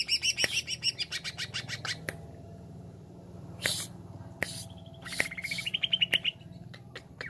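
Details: Jamtrok wik wik song of a greater green leafbird: an opening burst of rapid high pulsed notes, a pause with sharp clicks, then a rising series of quick repeated whistled notes.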